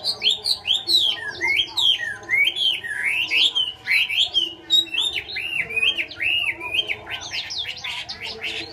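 A Chinese hwamei pours out a loud, varied song of rich whistled slurs and rising and falling phrases, delivered almost without pause; faint background murmur.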